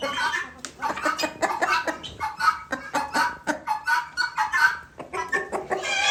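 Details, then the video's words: Guineafowl kept apart after fighting with newly bought guineafowl, calling noisily: harsh, rasping bursts come thick and overlapping, about forty a minute, with barely a pause across the stretch. "Guineafowl separated because of fighting new Guineafowl I bought and making noise"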